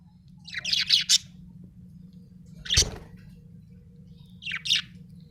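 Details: Budgerigar chirping in three scattered bursts: a quick cluster of scratchy chirps, a single harsh note with a soft thump, then a brief double chirp, separated by quiet gaps over a low hum.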